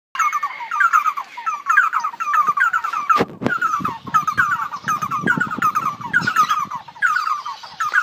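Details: Red-headed barbets (Trachyphonus erythrocephalus) singing in a parrot shop: rapid, rhythmic chattering phrases about twice a second in a busy overlapping chorus, with a sharp knock partway through; red-and-yellow barbet.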